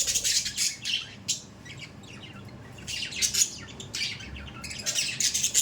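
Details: Budgerigars kept as pets in loud, rapid runs of harsh, hissy squawks and chirps, with a quieter pause in the middle before the noisy chatter resumes.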